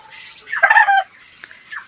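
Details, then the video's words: Chicken in the countryside of the Philippines, kept around a rural home where only chicken sounds are heard; a single short, loud, harsh crowing burst under one second, then quiet with faint background noise. "Puro huni ng manok ko maririnig dyan."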